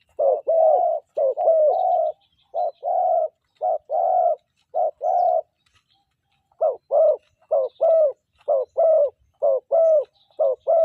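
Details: Spotted dove calling in a morning decoy-trapping session, voice shifting from middle to small: rhythmic low coos in short-long pairs, a two-second pause, then a quicker run of repeated throbbing phrases.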